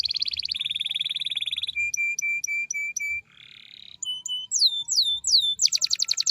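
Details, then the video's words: Energetic canary singing a long roll meant as a master song for other canaries: fast bright trill, evenly spaced piping notes, brief buzz, a series of falling whistled slurs, and a dense rapid trill to finish. "Suara burung kenari GACOR tajam Ampuh ngerol panjang ‼️ cocok untuk masteran kenari lainnya"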